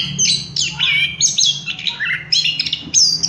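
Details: Orange-headed thrush song, played as a lure to get other birds singing quickly: a rapid, varied run of high, sweet whistled and slurred phrases with quick trills and few pauses, over a faint low hum.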